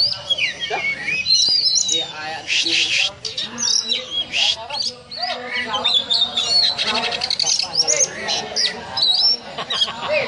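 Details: Kacer, the oriental magpie-robin, in ngobra snake-like singing: dense bursts of harsh hissing noise alternate with high whistled slurs and rapid chatter, packed into continuous energetic phrases.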